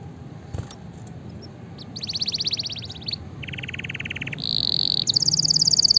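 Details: Training song of a vigorously singing canary for lazy birds: a varied sequence of buzzy trills at different pitches, a lower rattling tour, a steady buzzing note and a high rapid trill.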